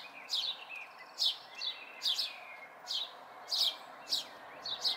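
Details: Chirping of house sparrow fledglings, May 2020: a series of brisk high notes about twice a second, some followed by a softer lower trailing note, over mild background noise.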